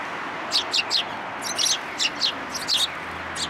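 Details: Sparrows following someone to be fed at a community hall in Japan, late February 2023; clipped high chirps in short bursts of two or three, roughly a dozen notes over a steady background rumble.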